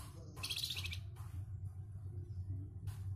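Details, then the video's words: Flamboyan with a rough, coarse voice, kept as a master bird for competition songbirds: a loud raspy buzzing burst followed by shorter harsh notes, with a low hum underneath. "FLAMBOYAN GACORR,SUARA KASARNYA KEREN BUAT BURUNG GANTANGAN"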